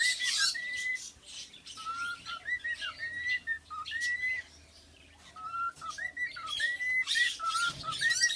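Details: Tame three-year-old male cockatiel serenading its owner with a series of clear whistled notes, some flat and some bending up or down, broken by short pauses, with harsh scratchy rustling noises between phrases.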